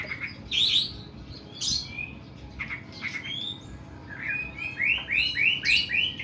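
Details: Oriental magpie-robin (kacer) singing long, harsh 'nembak' song: scratchy bursts and varied whistles, closing with a rapid series of repeated upward-slurred whistled notes.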